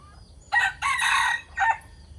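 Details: A decoy cockerel crows once at dawn. A loud, raspy, three-part cock-a-doodle-doo with a strong drawn-out middle syllable stands out against quiet low rumble.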